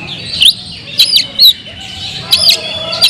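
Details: Oriental magpie-robin singing in the loud, busy kemrayak style meant to provoke other magpie-robins: a few short, separate whistled notes with sharp upward and downward slurs, spaced across the clip with quiet gaps between them.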